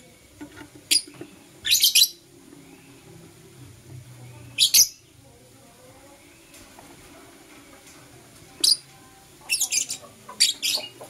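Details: Morning chirping of blue opaline and parblue euwing opaline lovebirds: sharp, high, scratchy chirp bursts arrive in irregular clusters, a couple near the start, one mid-way, several tumbling together near the end, with quiet gaps between.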